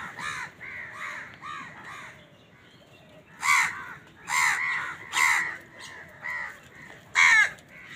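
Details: Many crows crowing on a winter morning while fighting over food: a flock of overlapping hoarse caws, loud bursts repeating every second or so, with softer calls between.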